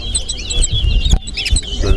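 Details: Large-billed seed finch (towa-towa) competing in a whistling contest at Alligator Pond: sharp, high, rising and falling whistled chirps in quick succession, with a brief pause and then more twittering, over background rumble and thuds.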